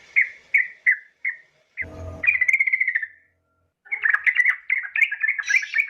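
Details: Yellow-vented bulbul female calling a male: short separate chirps, then a long bubbling warbled run, a pause and a louder jumble of chattering notes; a brief low thump in the middle.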